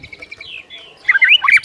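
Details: White-rumped shama in full, energetic song, used as a tutor recording to set other shamas singing: soft faint notes, then a loud burst of rich, quickly slurred whistles and twittering phrases near the end.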